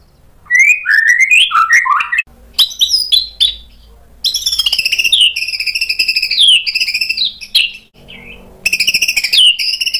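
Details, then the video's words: White-rumped shama delivering loud lure song full of sharp mimicked fill-ins to draw replies from other birds: looping whistled notes, then long varied warbling runs, a short soft gap, and another bright burst. "MURAI BATU GACOR bongkar isian tajam cocok untuk PANCINGAN biar ikut NYAUT BUNYI"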